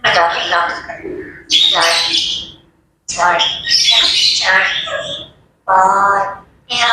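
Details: Grey parrots chattering at daybreak: run-on, voice-like babbling phrases with raspy squawks and a few higher squeals, in four bouts broken by short silences.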